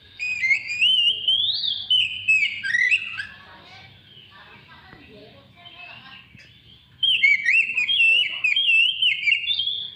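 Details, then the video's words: Oriental magpie-robin singing to encourage other birds to sing; two bursts of rich whistled phrases with upward and downward slurs, separated by about four seconds of near silence. "PANCINGAN SUARA BURUNG KACER"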